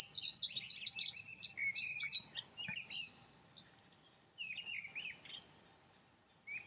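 A Dunnock gives a rapid, high, scratchy warble lasting about two and a half seconds, then shorter fragments of the same jumbled phrase after a pause.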